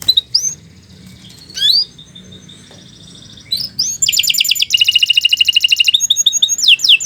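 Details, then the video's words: Canary giving scattered sharp whistled notes and a thin held tone over quiet background, then launching into a fast rolling trill of rapid repeated notes that carries to the end. "Kicau Burung Kenari II GACOR PANJANG"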